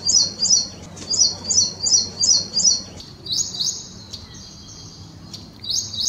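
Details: Ashy prinia, recording said to resemble ciblek semi: evenly spaced high trilled chips repeated about every half second, followed by longer flat, buzzy high notes over steady low background noise.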